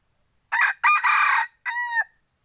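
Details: Crow of a kept F2 junglefowl: quick rasping syllables run into a drawn-out harsh phrase, finishing with a pure, flat whistled tail lasting under half a second, in otherwise quiet surroundings.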